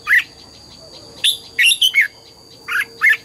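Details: Red-whiskered bulbul in morning song training, double-note wild style: loud, slurred whistled phrases of two to three notes falling and rising between mid and high pitch, with a steady high whine in the background.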